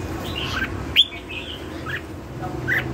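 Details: Red-whiskered bulbul, lân hầu bò song: a few separate slurred whistles, one sharp bright note near the start, then softer falling notes spaced apart over constant low hum.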